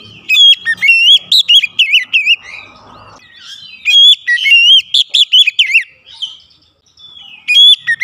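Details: Oriental magpie-robin (kacer) song played to stimulate singing: dense, loud runs of varied whistled and wavering notes mixed with chips, in long bursts with brief pauses.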